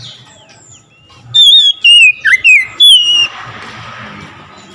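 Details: Oriental magpie-robin (kacer) singing loudly right after hearing another magpie-robin: a burst of clear whistled notes, some sliding and one dipping low, in about two seconds, then a hissy, noisy background.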